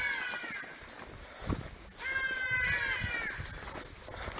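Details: Local ibis calling at Mole while a group treks toward elephants: two bursts of nasal, harmonic, drawn-out calls, the second longer and wavering, over steady outdoor hiss with faint people nearby.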